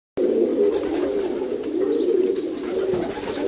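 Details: Adopted rock pigeon squabs, two young, fed by a foster parent in a loft; a steady low, husky, buzzing murmur of feeding sounds runs throughout, with faint clicks above.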